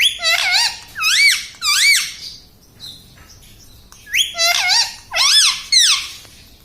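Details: Green pet parrot repeating mummy papa style words, about seven looping, bouncing syllables in two groups with a short pause between, indoors.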